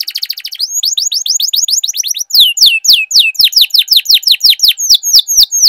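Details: Canary singing a loud long roll meant to train silent canaries: a quick high trill gives way to regularly repeated rising then falling whistled notes, then loud descending swoops about three per second with faint clicking underneath.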